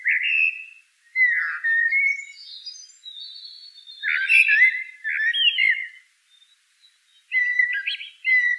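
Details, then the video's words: Blackbird song, Turdus merula, in a sequence of mellow fluting phrases, each ending in thinner high squeaky twitters, with brief quiet gaps; clean recording with no background noise. "Bird Song - Common Blackbird"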